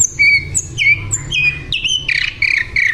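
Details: Flycatcher in full song, called sikatan londo and described as singing actively: clear, sustained whistled notes, each held briefly at a different pitch, then a brighter, busier run of warbled phrases, over a low steady hum.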